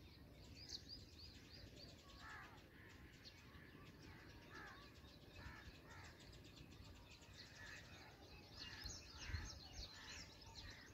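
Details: Fed drongo chicks call in scattered, buzzy chirps and short rising squeaks, repeated about twice a second, fairly faint, with a constant hiss and a brief low thump near the end.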